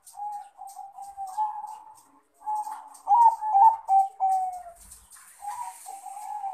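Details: A male zebra dove of the Bangkok crossbred type calls a rival with a rapid series of short staccato coos, then louder warbled notes after a brief pause, and a final run of clipped coos.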